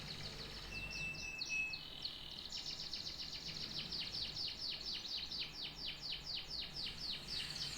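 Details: High rattling trill from a canary, a brief clear whistle, then an extended run of descending slurred notes that speeds up as it goes.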